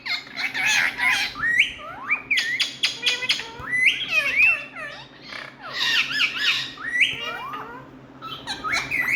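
Indian ringneck parakeets squawking loudly and almost without pause: harsh, rising-and-falling screeches that overlap one another, with a faint steady hum underneath.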